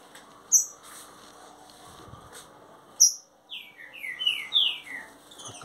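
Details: Green-winged saltator: a few isolated sharp chips, then a short phrase of loud downslurred whistles following one another rapidly.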